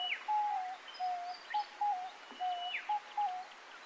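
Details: Diamond dove (Geopelia cuneata) call: soft, mellow coos in short level notes, a few per second, with a faint high downslurred whistle from another bird.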